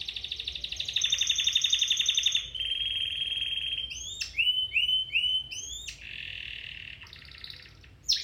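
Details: Song of a domestic canary, played to stimulate or improve canary singing: high trilled tours, a long steady whistled note, quick rising and falling slurs, a low buzzy roll and a final sharp high phrase.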